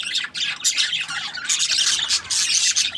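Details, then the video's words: Budgies keep up dense, buzzy chatter, with overlapping squawks and quick chirps forming a near-continuous noisy warble that dips once early and then swells again. "Budgies Parrot chirping sound | parakeet sounds"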